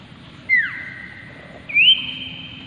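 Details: Loud whistling of a common iora (cipoh, Aegithina tiphia): a down-curving whistle that settles into a long steady tone, then after a second a rising whistle held evenly to the end, with faint hiss behind.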